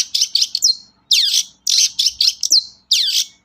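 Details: Long-tailed shrike song used to stir sluggish shrikes into song: grouped harsh, buzzy notes with squeaky downward slurs, delivered in short bursts separated by brief gaps.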